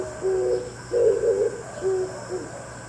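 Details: Early-morning Oriental turtle dove exchanging calls with another dove. Soft, low coos: a brief hoot, then a louder, longer throaty phrase, followed by quieter answering notes over a constant low hum.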